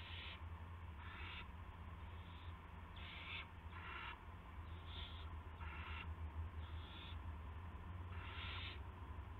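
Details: Owl heard at 8:00 PM on March 18, 2016, while bringing a gopher. About eight short, rasping hiss bursts come in an irregular series against a constant low hum.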